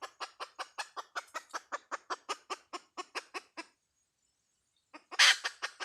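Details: Hen clucking in a fast, even series of short, harsh clucks, about five per second for nearly four seconds. After a brief silence a few more clucks follow, with one loud, noisy burst among them.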